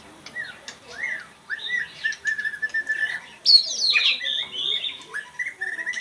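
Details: White-rumped shama giving a varied whistled song: short slurred rising notes and a held steady whistle, then a louder burst of twisting, falling phrases and rapid notes, ending in further clear whistles over a quiet background.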